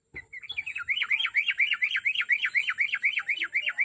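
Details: Trucuk (yellow-vented bulbul) lure singing meant to spur another bird into song: a continuous quick chatter of swooping up-and-down notes, about eight per second, bright and loud throughout.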